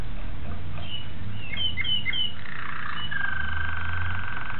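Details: Young Malinois Waterslager canary, 2009, with a few scattered clear whistles and brief slurs that lead into a long, even held tone, against a low rumble.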